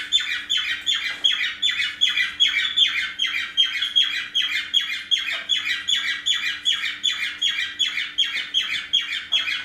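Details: Pet parrots in a room on a morning, females fussing over a male with a bandaged broken wing; unbroken series of rasping, down-slurred chirps, evenly spaced and rapid, about two and a half per second.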